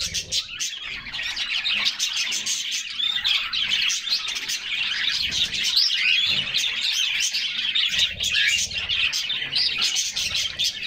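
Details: A flock of canaries enjoying a refreshing summer bath sing a thick, unbroken chorus of rapid high chirps, tweets and rolling trills, with faint watery splashing underneath.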